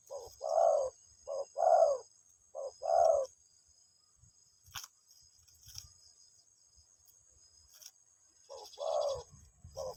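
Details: Spotted dove calling to its mate, fainter and more distant: three muffled two-part coos, a long quiet pause, then two more phrases over faint background noise.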